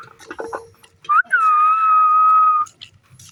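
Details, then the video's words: Green pet parrot interacting with its owner. Some clattering noises come first, then a short upward whistle and a long flat whistle lasting over a second, followed by quiet. "Beautiful Green Parrot Playing & Making Stunning Sounds"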